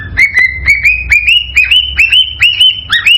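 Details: Whistled cockatiel song, excited and aimed at prompting mating: evenly spaced upslurred notes, each climbing then holding, about two and a half per second, with faint low rumble beneath.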